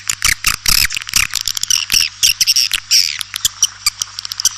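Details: White-nest swiftlet lure call: rapid bursts of squeaky twittering and clicks, separated by short gaps, over a faint low hum.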